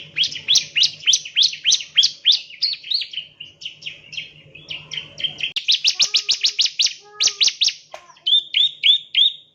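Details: Prinia familiaris, the Javan ciblek, chirping for bird training: rapid bursts of high down-slurred notes, then a quicker volley, ending with short clipped chirps. A faint lower whistle and low hum are also present.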